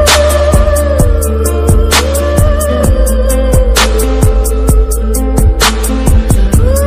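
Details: Loud music with a steady beat, bass and a sustained melodic line, with no animal voice.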